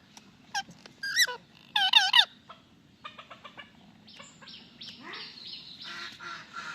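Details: Indian ringneck parakeet, called a talking parrot, uttering a few harsh, bent, warbling notes in the first two seconds, followed by softer clicks and a long rough hissing rasp.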